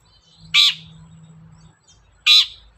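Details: Long-tailed shrike singing actively, used as a lure recording for other shrikes: two loud, grating, rasping notes nearly two seconds apart, with a soft low hum between them.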